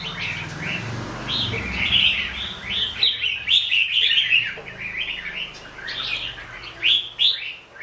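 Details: Red-whiskered bulbul giving a steady series of short, rising and falling whistled notes, slightly sweet and chirpy, over a faint low hum at the start.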